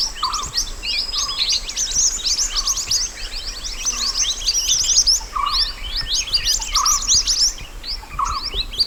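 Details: Natural mountain white-eye song meant as master material for training birds: dense, continuous high chattering and chirping, with a separate lower whistled note repeating about every one and a half seconds behind it.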